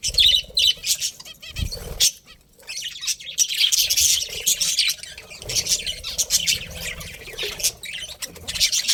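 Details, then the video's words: Budgies twitter and chirp in mixed bursts, scratchy chatter with brighter whistled notes, a brief silent gap early, and a soft bump of low noise. "Cute Budgies Chirping Sounds"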